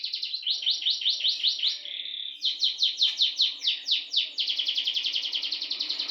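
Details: Canary singing a long roll: loud, continuous rolling trills of rapidly repeated sweeping notes, changing speed several times and ending in a very fast, even roll.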